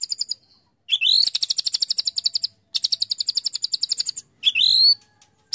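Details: White-rumped shama delivering contest-style song: a rising whistle leading into two long rapid trains of bright staccato notes, then another rising whistle, clean and free of background noise.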